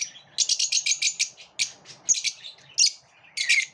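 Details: Competing pet lovebirds chattering in shrill, high-pitched chirps, first a quick run of about ten notes, then louder separate squeaks and a final burst.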